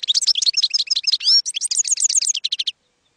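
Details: Young-goldfinch training recording of European goldfinch campero song: brisk, bright twittering with a short rasping buzz, closing in a steady series of repeated chirps.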